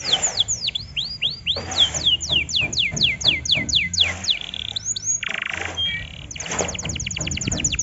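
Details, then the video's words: Canary song used as a lure to provoke other canaries: rapid series of descending whistled sweeps, fast trills and a buzzy rattle, with low hum beneath. "BURUNG KENARI anda akan ikut emosi DENGAN PANCINGAN INI"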